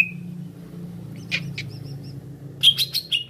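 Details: Greater green leafbird giving sharp, high chirps and a few thin whistled notes in quick bursts over a low steady hum; the recording is a lure call meant to draw a quick response from other leafbirds.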